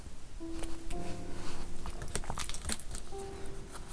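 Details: Soft sustained musical tones with scattered crinkling and tapping sounds in a small room; no animal voice is heard.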